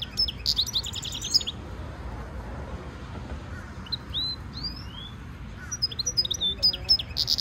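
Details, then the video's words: European goldfinch mule, a hybrid, singing a training stimulation song: scattered thin, high, slurred whistles and short chirps, with quiet gaps between phrases and a low background hum. "European goldfinch Singing Mule -Training - Jilguero Mulo - Carduelis carduelis - Stimulation song"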